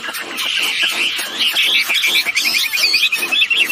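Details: Male and female wambi birds calling actively, played to lure birds into calling: rapid, evenly spaced high notes that become a fast trill, over steady scratchy background chatter.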